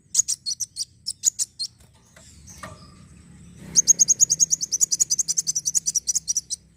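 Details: Sunbird (kolibri wulung) singing, played to stimulate other birds to sing: high, piercing chirps in rapid runs, a short quiet break with a soft low thump, then a long fast trill of evenly spaced sharp notes.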